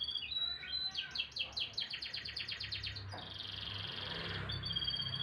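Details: Morning canary song of rapid clipped notes in a rolling series, merging into a long rich warbling trill, over a soft low background rumble.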